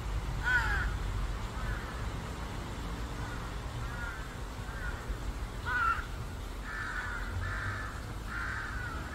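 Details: Crow family calling; several harsh caws scattered across the stretch, some in quick runs, over steady low rumbling traffic-like noise.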